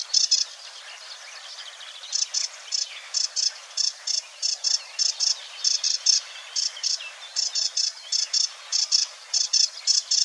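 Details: Sedge Warbler singing, recorded 6–7 May 2022 in marshland at Wetering West near the Weerribben, Overijssel: richly imitating song of short, harsh, buzzy chattering notes, repeated two or three times a second at high pitch.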